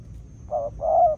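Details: Spotted dove, a wild-caught field bird heard with a decoy, giving a single cooing phrase: one short low note, then a longer sustained coo, over a faint low background hum.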